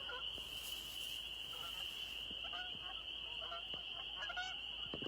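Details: Canada geese in a soggy New Hampshire meadow at dusk on 3 May 2020 give scattered nasal honks in short bursts, partly buried under a steady high-pitched whine and background hiss.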